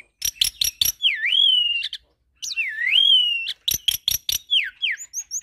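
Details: Tutor recording blending black-collared starling, Nias myna and hybrid Nias × black-collared starling singing: loud pure whistles that dip and rise in long wavering slurs, broken by short clicking bursts and high thin whistles.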